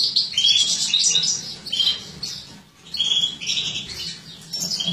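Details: European goldfinch hen from captive-bred mutations, 2017, while feeding: bursts of high, thin twitter and chirps with brief flat whistles, a short lull at mid-point before the chatter resumes.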